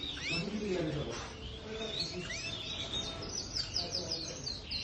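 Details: Canary singing: scattered rising whistled notes and sweeps, then a quick run of repeated high chirps through the final second and a half, over steady background noise and a faint low murmur of speech.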